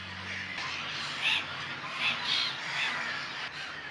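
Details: Black-headed Gull colony at a lagoon on Brownsea Island in the evening; several clear, harsh, nasal squawks stand out, spaced about half a second apart, over a steady background hubbub of many calling birds.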